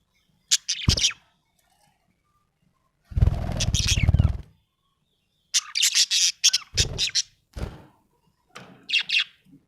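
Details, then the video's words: Happy budgerigar chirping: short scratchy chirps and chattering bursts spaced across the recording, interrupted by a loud low broadband thump or rustle near the middle and a few other low knocks. "Happy budgie chirping sound"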